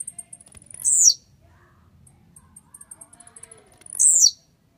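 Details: A fired-up, grumpy blue-black grassquit (tiziu): two short, high, buzzy downslurred bursts about three seconds apart, with faint high ticking notes between.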